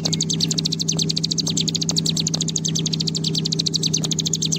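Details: Ciblek gunung (bar-winged prinia) in long ngebren song: fast, continuous buzzy notes pulsing several times a second at high pitch, over a constant low droning hum.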